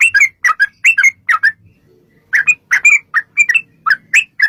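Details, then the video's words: Sooty-headed bulbul, 'ropel' lure song: a rapid volley of bubbly slurred chirps, a half-second pause with faint murmur, then the chattering series resumes. "trucukan gacor TARUNG ROPEL PANJANG pancingan trucukan agar bunyi jadikan burung trucuk gacor NYAUT"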